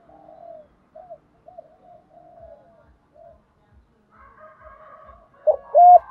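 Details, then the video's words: Spotted dove calling to lure and train decoy birds: faint distant coos for most of the stretch, then a loud close phrase of clipped hollow coos at the very end. "tiếng chim cu mồi thúc gù _ gáy gọi _ giọng hạp bổi _ kích là gáy _ tập mồi hiệu quả, cu cườm gáy"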